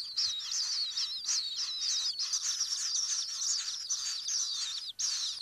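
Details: Common kingfisher nest-burrow sound: a long, steady stream of shrill, thin, whistled chirps that run together, with a short pause near the end before calling resumes.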